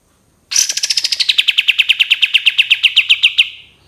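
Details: Cream-vented bulbul giving a long 'tembakan' rattle: about twenty rapid, evenly spaced sharp notes that begin high and slide lower, then hold steady for three seconds before stopping abruptly. The recording is clean, with no other sounds.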